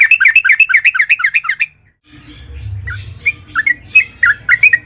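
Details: Bubbly chattering song of a sooty-headed bulbul, the long rolling kind used as a lure to make other bulbuls sing: a dense burst of rising-falling notes, a gap, then scattered fluty chirps over low hum.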